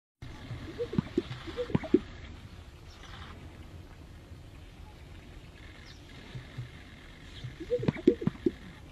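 A greater sage-grouse gives two bursts of soft swishing and hollow, bubbling pops about six seconds apart, over a steady low rumble of wind.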